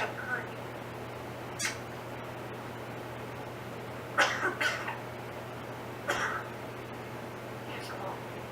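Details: Caged female Timneh African grey parrot indoors, behind a rope ladder, imitating her owner's cough; a soft call early on, then three harsh, breathy cough-like bursts near the end over a steady low hum.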